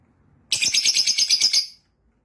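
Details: Yellow lovebird chirping: a rapid run of about ten sharp, high, bright chirps packed into just over a second, evenly spaced and steady in loudness, then silence.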